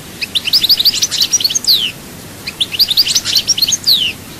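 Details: European goldfinch recorded at Souk Ahras, Chaayba, Algeria, giving two matching phrases of quick tinkling twitters, each closing with a clear downward-sliding whistle.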